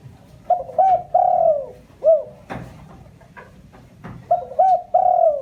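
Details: Lure call of a spotted dove meant to provoke wild doves: repeated mellow cooing phrases of short paired notes leading into a long falling coo and a hooked final note, with a few soft knocks.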